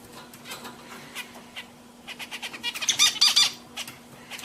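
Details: Pet zebra finches singing indoors: soft scattered nasal notes build to a dense burst of loud, harmonic-rich buzzy syllables near the end, over a steady low electrical hum.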